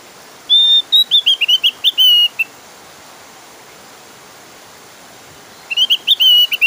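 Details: A Javan grey-throated white-eye sings a loud, insistent, clear song, used as a lure to get other white-eyes singing: a rapid run of high, sweet whistled notes sliding downward, a pause of about three seconds, then another burst.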